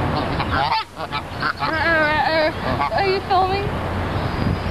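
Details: Wild geese honk at Dufferin Islands in Niagara Falls: wavering, drawn-out nasal calls and shorter honks overlap in a brief busy exchange above a low background murmur.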